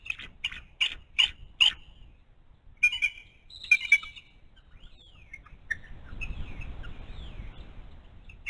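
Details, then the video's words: Adult female bald eagle at a nest with a month-old eaglet, giving a run of short high chirping notes, then pausing while other forest birds add thin sliding whistles. "Mom's Vocal"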